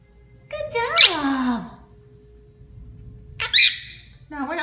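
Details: A female monk parakeet building a nest gives harsh, squawky talking phrases with sweeping harmonic notes, two bursts about two seconds apart, then another starting; a faint steady hum beneath.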